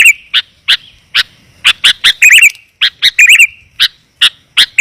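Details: Sooty-headed bulbul lure call, clear and dense, used to draw wild bulbuls in: sharp clicking chips with short bubbly warbled phrases in between, the notes close together and separated by brief silences.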